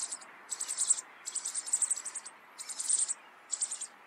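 Rock bunting song: four short bursts of very high, thin, rapid chittering notes, each under a second, separated by brief pauses.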